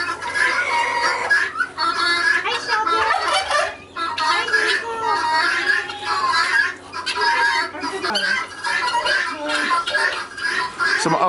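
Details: A flock of chickens clucks and squawks in a busy chorus during the winter morning feeding routine on a farm while a person talks nearby.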